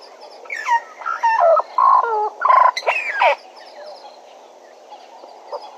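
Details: Bennett's woodpecker at Djuma gives a burst of about six nasal, chattering notes, several dropping in pitch, over three seconds, then falls quiet. Faint bird calls follow.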